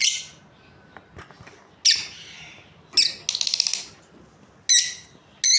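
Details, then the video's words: High, harsh chirps from a breeding pair of Australian lovebirds, broken by a rapid buzzy chatter lasting about a second, then more sharp single notes. "Australian Lovebirds Chirping Sounds"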